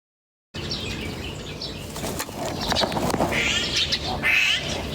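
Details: Birds chirping in nature: after a brief silence, a few short high chirps stand out, the clearest two coming about a second apart near the end, over steady rustling and fluttering noise like flapping wings.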